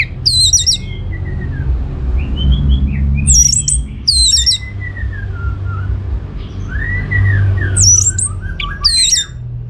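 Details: Orange-headed thrush singing loudly as a lure for other birds: bursts of sharp, high, chopped notes every couple of seconds, separated by softer looping whistles, with a constant low hum in the background.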